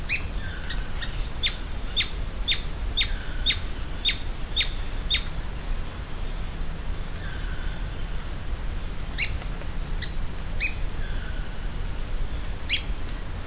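Ochre-bellied flycatcher giving sharp, high chips about twice a second in short bursts, over a steady high insect whine and low rumble.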